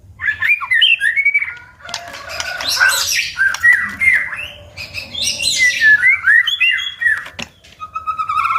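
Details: A White-rumped shama sings a rich, varied song of fluid whistles and sweeping slurs, broken by harsh buzzy bursts and quick chattering notes, with continuous snapping sounds.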